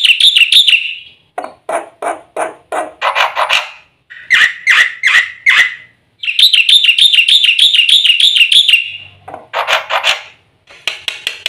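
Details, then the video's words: Black-winged starling lure song with full varied content: a fast wavering trill, rough chattering bursts, lower nasal notes, another long rapid trill, then harsh rattles. "suara burung jalak putih full isian RAJANYA PANCINGAN - MASTERAN bikin gacor PAGI - SIANG - MALAM"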